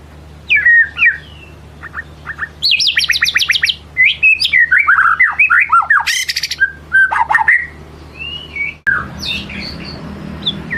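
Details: Lure song from a white-rumped shama unloading its repertoire: fast rattling trills, harsh squawky bursts, bright whistled slurs and a short noisy buzz, delivered in rapid varied phrases, with low hum in the background.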